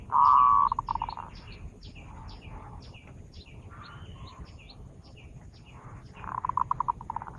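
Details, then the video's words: Zebra dove song used to lure birds: a loud cooing phrase opens, breaking into a quick stuttered run of pulses, then a second similar phrase near the end; many short high chirps from other birds sound in between. "Suara burung perkutut pikat"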